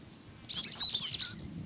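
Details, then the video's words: Sooty grassquit, a seed-eating tanager also called cigarra-preta or cigarra-do-coqueiro, giving one short buzzy, high-pitched jumbled phrase lasting under a second, with a faint steady high tone in the background. "Canto da Cigarra Preta / Cigarra do Coqueiro | Sooty Grassquit"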